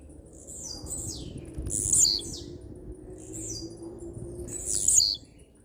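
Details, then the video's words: Tiziu, or blue-black grassquit, singing strongly: two loud, very high buzzy phrases about three seconds apart, each preceded by a softer falling slur, over a low hum. "TIZIU CANTANDO FIRME"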